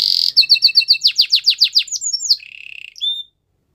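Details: A Belgian canary sings a high steady tone, then a series of repeated downslurred notes, a rippling lower trill and a short whistled ending before silence.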